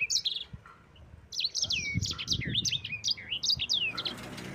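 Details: Yellow-fronted canary in long rolling 'ngerol' song, kept as a master recording for training other birds: quick high whistled and slurred notes tumbling after a brief pause, with low rumbling background noise.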